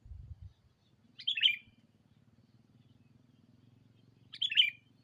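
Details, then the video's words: Sooty-headed bulbul lure sound for calling a rival, given as two short, sharp slurred chirp bursts about three seconds apart, with a low background hum and a brief thump at the start. "Suara burung Pikat kutilang memanggil lawan"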